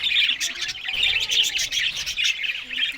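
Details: Australian budgies eating green food in the morning: a short, dense run of bright, high chirps and warbled squeaks, steady throughout.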